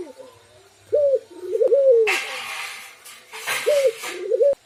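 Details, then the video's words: Spotted dove in full song, with two unusual voices: soft, rounded coo phrases come in pairs, partly masked by loud bursts of rustling, hissing noise in the middle of the recording. "Burung Berderuk Tikukur Gacor Berkicau Dua Suara Aneh"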